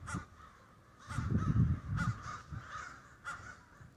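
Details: Crows in a roosting flock during Denver snow give a few separate harsh caws, spaced about a second apart, over a soft low background rumble.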